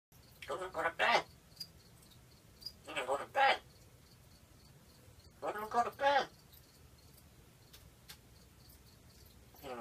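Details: Syd, a pet African grey parrot (Psittacus erithacus) wanting to go to bed, talks in short, speech-like two-part phrases like "wanna go to bed?", three times in about ten seconds, over faint insect ticking.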